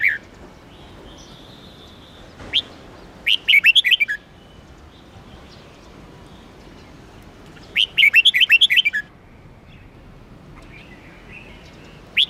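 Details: Red-whiskered bulbul singing: two lively phrases of six to eight rapid slurred whistles, a few seconds apart, with scattered single chirps and a soft background hum.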